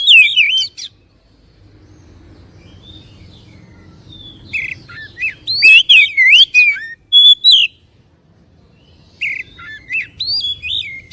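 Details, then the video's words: White-rumped shama singing, played to stir a caged bird to anger and spread its tail; bursts of fast warbled whistles and sharp clicks separated by several seconds of near silence with low rumble. "PANCINGAN SUARA KACER AGAR CEPAT EMOSI DAN BUKA EKOR"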